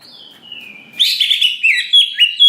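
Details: Greater green leafbird singing as a provoking lure: a long falling whistle followed by a burst of loud, scratchy, rapid mimic-like notes.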